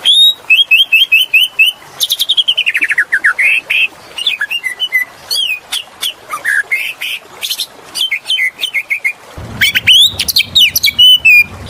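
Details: Oriental magpie-robin (kacer) singing a lure song: a quick series of repeated chirps, then rich varied whistles sliding up and down, sharp high notes and rapid chattering runs.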